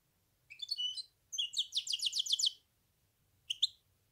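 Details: Short phrases from a goldfinch hybrid: a few tinkling notes, a fast buzzy trill of repeated elements, then a single sharp chirp after a pause, over a faint low hum.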